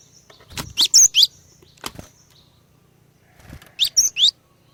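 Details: Female Cinereous tit calling to entice males into singing: two sets of three shrill high chirps several seconds apart, with low thuds between and a faint background hum.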